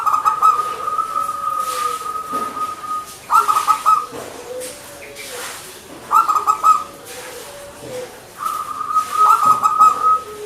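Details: Local zebra dove (perkutut) cooing in lively manggung fashion: rapid stuttered coo bursts that each stretch into a long level tone, returning about every three seconds. Fainter, lower gliding coos sound in the background.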